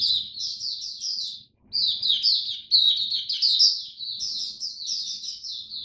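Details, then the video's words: Captive oriental white-eye in cold, rainy October weather pours out dense, high, trilling chirps in long phrases, with a short break near one and a half seconds; very little other sound. "Mata Puteh Buka Sing Raja"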